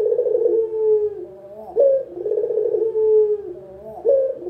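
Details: Local spotted dove (puter lokal) calling, a lure recording for beginners: two low, mellow coo phrases, each opening with a sharp upward note followed by a vibrating, purring stretch that slides gently downward.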